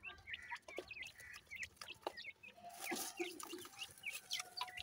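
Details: Grey francolin (bhura teetar) chicks: many small birds calling together in dense, overlapping high peeps and short upslurred cheeps, with a brief rustle of noise midway.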